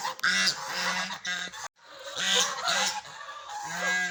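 A duck gives harsh, nasal honking calls in quick bursts, several every second or so, over a steady hiss of background noise.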